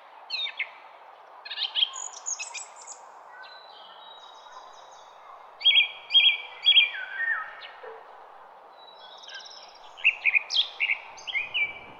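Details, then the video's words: Garden songbird singing bright, high phrases of chirps and quick trills in bursts a few seconds apart, over a steady background hum. "BIRD SONG"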